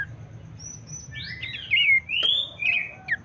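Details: Abbott's babbler singing as a lure recording meant to make other babblers sing more: sweeping, overlapping whistles that climb and fall, with a few brighter, louder notes toward the end.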